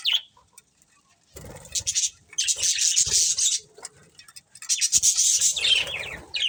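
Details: Breeding pair of budgerigars giving a short high chirp, then long stretches of fast, buzzy, high chatter interrupted by a quiet gap, with low rustling thumps beneath.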